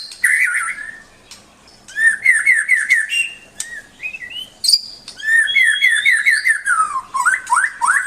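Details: Melodious, varied song of a white-rumped shama: rich fluting whistles, fast repeated trilled notes, and high sliding tones delivered in lively phrases with brief gaps, loud and close.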